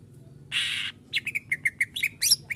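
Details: Caged greater green leafbird masteran training song in full isian style: a brief harsh hissing burst, then a run of clipped, evenly spaced chirps at one pitch, ending in higher twittering notes, with a low hum behind.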